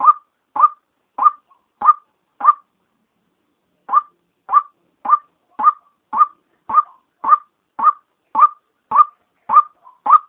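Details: Female white-breasted waterhen call used as a daytime lure to attract waterhens: short, clipped, mid-pitched notes repeated steadily about twice a second, with one brief pause near three seconds. The background is otherwise quiet.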